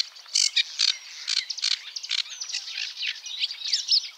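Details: Sedge warbler singing a restless, chattering phrase of harsh buzzy notes, rattles and short squeaky chips, loudest in the first second, then softer, faster twitters, with a clean, quiet background.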